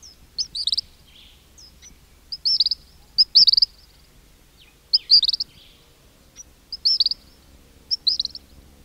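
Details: King cormorant colony recorded close, chicks whistling and adults grunting: short clusters of sharp, high whistled chirps arrive in irregular groups about twice a minute per caller, separated by near-silent gaps.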